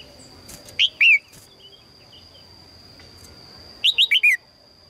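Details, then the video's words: Red-whiskered bulbul female calling for a strong male, giving a couple of separate sharp chirps and then a rapid run of four descending chirped notes; a constant thin electronic-sounding whine runs underneath. "นกหัวจุก birds - นกตัวเมียร้องเจี๊ยก ๆ เพื่อเรียกนกตัวผู้ที่แข็งแรง"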